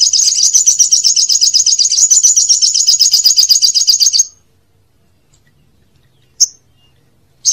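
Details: Olive-backed sunbird song used as a lure for young birds, a loud four-second run of fast, high, sharp chirps, followed by silence and an isolated high chip.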